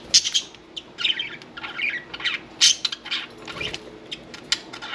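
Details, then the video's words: Budgerigars kept as pets, one bathing, make quick raspy chirps and squeaky notes in uneven bursts, with faint fluttering between calls. "Happy Budgies"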